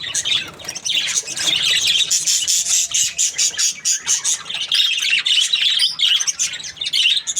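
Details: Budgerigar chirping happily, loud chattering warble of rapid scratchy notes and squeaks, choppier in the second half.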